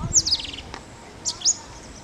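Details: Male Indian robin calling in Tirunelveli, India: high, thin chirps sliding downward, one pair near the start and another pair about a second later, over faint background hiss.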